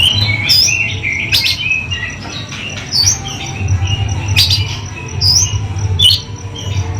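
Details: Oriental magpie-robin song: varied whistled notes and quick twittering runs with sharp clicks, over a steady low rumbling background.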